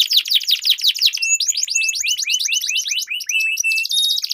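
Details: Canary duel, long rolling song used as a lure for stalled birds: a harsh fast trill, then a run of looping upslurred whistles with a steady thin high tone, ending in a buzzy roll.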